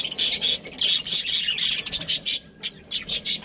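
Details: Breeding pair of budgies, Australian parrots, uttering loud, rapid, scratchy squawks in a steady stream of bursts roughly every quarter second, pausing briefly midway.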